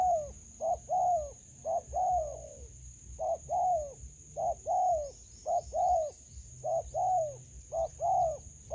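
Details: Spotted dove in a melaleuca garden during decoy trapping, a wild bird. It gives low, mellow coos in paired phrases, a short note then a longer downslurred one, repeated about once a second over a steady high thin whine.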